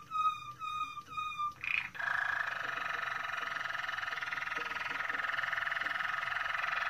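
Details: Moroccan Malinois canary sings three clear whistled notes, then launches into a long, even, buzzing rolled trill lasting about five seconds without a break.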